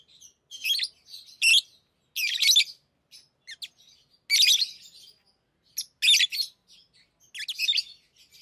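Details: Tame lovebirds playing with rings: a steady run of shrill, scratchy high chirps and squeaks in clustered bursts, some short single notes between louder rasping phrases.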